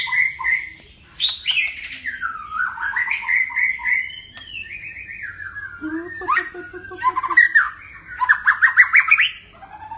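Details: White-rumped shama singing a varied, many-voiced song: rich whistles rise and fall, with a long descending slur midway, a low buzzy rattle, then a quick run of rising, stuttering notes near the end.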